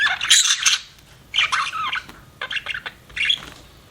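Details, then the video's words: Chattering pet budgie giving harsh, buzzy squawks and warbled chirps in four separate bursts with short quiet gaps between them. "BUDGIE CHIRPING SOUNDS"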